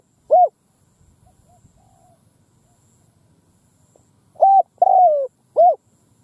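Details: Spotted dove decoy calling in the middle of a field to lure wild birds; a single hoot, a quiet pause with faint distant coos, then a full phrase: short note, long falling coo, short note.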